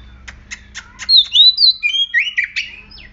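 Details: Excited male-style oriental magpie-robin song, used as a lure to make other magpie-robins sing at once: four evenly spaced clicking chips, then a rapid run of clear high whistles, slurred notes and short buzzy trills, over faint low hum.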